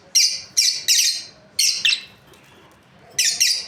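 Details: Breeding lovebird pair calling with bright, harsh chirps, about seven, grouped in twos and threes with a brief pause midway.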